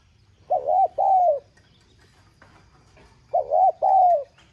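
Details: Spotted dove giving a urging call in the 'giọng son' voice style, used to stir caged doves into cooing; two phrases about three seconds apart, each a quick double coo followed by a longer, level, mellow coo.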